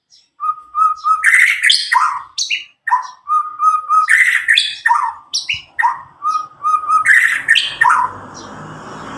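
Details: White-rumped shama from Medan, roughly nine months old and untutored, used to stimulate young birds; short runs of evenly repeated whistled notes alternate with harsh squawking bursts, over faint background noise at the end.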